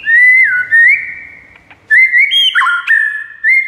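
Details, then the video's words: White-rumped shama giving long, rich whistles that glide and step between pitches. The phrases come in two bursts, with a brief quiet gap and a faint click between them. "JADIKAN MURAI BATU NYAUT DALAM HITUNGAN DETIK SAJA"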